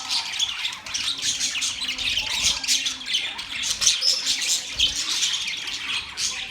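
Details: Budgies chirping together in a dense, continuous chatter of high squawks and rapid twittering notes, many birds overlapping throughout.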